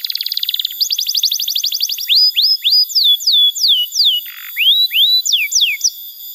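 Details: Canary song used to teach young canaries: a fast buzzy trill, a run of rapid sweeping notes, then repeated rising hooks and falling whistled slurs with a brief low buzz midway.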